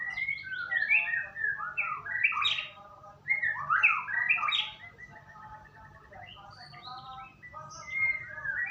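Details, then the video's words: White-rumped shama song used as a lure to make another bird sing: a rapid run of varied fluty whistles and slurred notes in bursts, a short pause, then quieter, softer phrases trailing off. "Pancingan burung murai batu agar bunyi"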